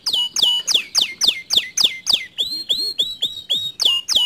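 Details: A canary sings to prompt a quiet canary to join in: loud, sharp, downward-slurred notes repeated about four times a second, shifting to upswept whistled notes.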